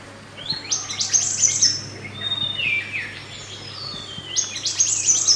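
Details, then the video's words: Wild mountain white-eye song for training other birds: two high, buzzy, rapidly trilled phrases separated by a softer descending warble, over a steady low hum. "MASTERAN SPESIAL MANTENAN GUNUNG ASLI ALAM"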